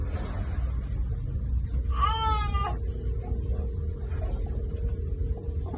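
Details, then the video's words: An African penguin, heard up close at Boulders Beach, gives one brief, nasal, wavering call lasting under a second, over a steady low rumble of surf and wind. "African Penguin Sounds"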